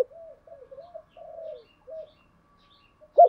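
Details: Decoy spotted dove cooing to provoke wild doves into cooing and coming to the fighting perch; soft low coos in short phrases of wavering notes, fairly quiet, ending with one louder sharp note.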